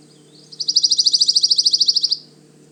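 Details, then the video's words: A Pine Warbler, a short-distance migrant that arrives in April, sings from the forest canopy at Manchester Cedar Swamp Preserve, New Hampshire: a musical, single-pitched trill of about twenty quick, even notes lasting roughly one and a half seconds, over a faint low hum. "Their song is a repeated, single-pitched trill. Listen closely..."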